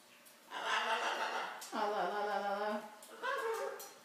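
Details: Pet macaws, a blue-and-gold and a scarlet, imitate human speech indoors, three short raspy word-like phrases over about four seconds in a small room; they say phrases like "how are you" and "pretty bird".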